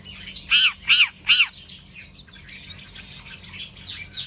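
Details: A long-tailed shrike set out in the morning sun gives three loud, harsh, buzzy notes about half a second apart, then a softer run of varied high twittering and chattering phrases.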